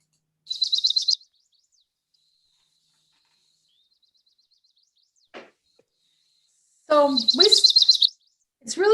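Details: Chestnut-sided warbler in spring sings a quick run of high, sweet notes (the "please please pleased to meet you" song), given twice, the second time partly covered by a person talking.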